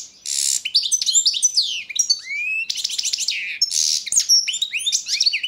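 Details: Serbian competition recording of a Balkan goldfinch (Carduelis carduelis balcanica), 2022 world goldfinch song championship entry; fast varied twitter mixing harsh buzzy bursts, sweeping rising whistles and liquid chirps without pause.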